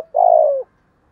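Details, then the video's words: Spotted dove kept as a decoy. A single long buzzy coo lasts about half a second, steady at first and then sliding lower at the end, in quiet surroundings. "Chim Cu Mồi, cu gay kich boi nhanh noi"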